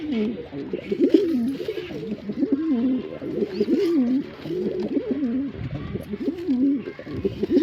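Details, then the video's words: Nearly continuous, bubbling coos from a male pigeon, low-pitched phrases wobbling up and down one after another for almost eight seconds, barely pausing between bursts. "Pigeon Sound Effect"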